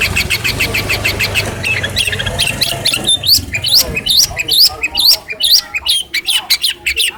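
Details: Hand-reared caged long-tailed shrike from Cilacap, trained using a phone recording and known for imitating other birds, opening with harsh repeated squawking notes, then shifting to rapid sweeping, upslurred whistles and chattering phrases.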